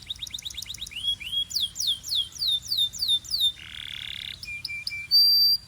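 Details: Belgian canary singing to warm up canaries and fire up females: series of swooping falling whistles, a harsh buzzy rattle, short piping notes and a sharp high tone.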